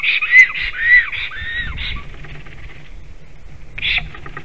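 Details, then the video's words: Black stork on its nest in Sigulda municipality, Latvia, filmed by a live nest camera at 12:40 pm on 11 April 2021 while rearranging twigs. It gives a run of arched, whistled notes, then pauses before one more short note. "Melnais stārķis~ Black Stork is eating Moss? Is singing & rearranges twigs"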